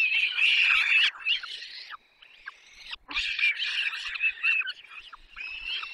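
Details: During a lengthy feeding at a Barycz Valley nest, Poland, 6 May 2021, peregrine falcon chicks give insistent, high, quavering begging whines, loud at first, dropping briefly near silence, then resuming steadily.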